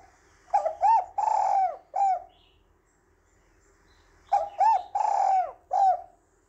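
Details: A female spotted dove, used to lure and stir up males, gives two low, hollow cooing phrases of about four notes each, separated by a pause, with a soft hum in the background.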